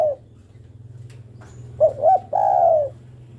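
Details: A female spotted dove calls to the male with one phrase of two brief coos and a longer drawn-out coo, after the tail of an earlier coo, with a constant low background hum.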